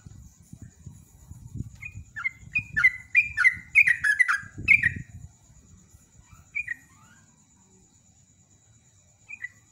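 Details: Sooty-headed bulbul (trucukan) in rapid 'ropel' style, used as a lure to set other birds singing: a burst of bubbly, slurred chirping notes over about three seconds, then sparse short phrases, with a steady high whine and low rumbling noise.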